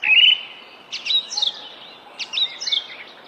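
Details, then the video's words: Singing bird: a bright whistled note, then two similar bursts of quick, twittering, slurred phrases about a second and a half apart, high and clear over a faint steady background hum. "Singing bird"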